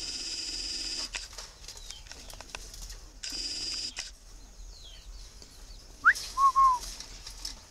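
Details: Winter calling by a tame caged male Chinese francolin, Ba Vì, Hanoi, Vietnam: bursts of hissing noise first, then near the end a quick rising note and two drawn-out whistled notes.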